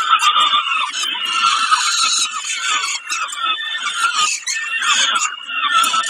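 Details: Harsh, rasping cries of a peregrine falcon during a snack at Kawęczyn, 20 May 2022, running almost without pause, dipping briefly around the middle, with scattered clicks between strained squeals.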